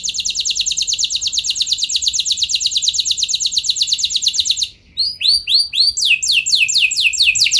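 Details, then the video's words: Canary singing a long rolling song meant to prompt other canaries to sing: rapid buzzy trills of repeated downslurred notes, high-pitched, shifting after about five seconds to slower, separated swooping whistles. "Pancingan Burung Kenari Nembak Mantap! Buat Kenari Lain Pasti Langsung Ikut Gacor Ngeroll Panjang"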